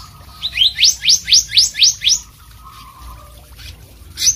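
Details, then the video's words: Blue whistling thrush in very active song: seven loud rising whistled upslurs, evenly spaced about four per second, then a pause and one more upswept note, over a quiet low hum. "suara burung selendang biru super gacor"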